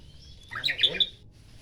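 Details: Oriental magpie-robin of the poci type singing in the morning: a brief burst of bright, chirpy notes crowded together, with a few sharp high peaks, over a low background hum.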